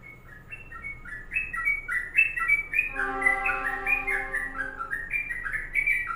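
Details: Sooty-headed bulbul singing a long 'kongslet' (ropelan panjang) song: rapid chains of liquid, bubbly two-note phrases between low and high pitch. Steady low humming tones are heard midway.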